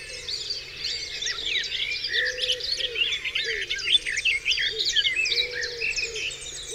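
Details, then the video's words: Dawn chorus on Dewlands Common with several songbirds singing at once, quick chirps and twisting whistles about three a second, and a lower soft cooing phrase repeated beneath them. "Dawn Chorus"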